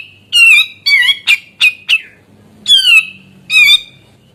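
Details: Chattering song of a grey-cheeked bulbul, aimed at provoking rival birds to sing: two rasping downslurs, three short sharp notes, then two more nasal descending calls after a brief silence.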